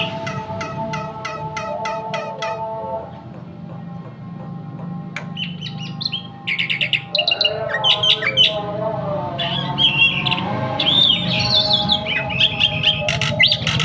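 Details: Javan white starling in full song just after its bath: a run of sharp clicking notes, a pause, then an increasingly dense stream of whistles, chirps and scratchy squawks over a steady low hum.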